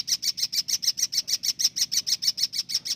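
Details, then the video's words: Long-tailed shrike, a singing contest champion, delivering a fast, steady series of identical sharp, high ticking notes, about six each second without pause, in a quiet setting. "burung pentet juara par 4 juara"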